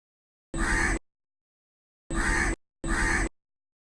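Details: A crow calls live from a tree, giving three rough, hoarse caws, one alone followed by a close pair after a pause; nothing else is audible.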